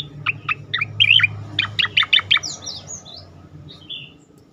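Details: Tembakan-style song of a striated grassbird (cicakoreng), played as masteran to draw out other birds: about ten sharp ringing notes in quick succession, followed by softer thin trailing whistles.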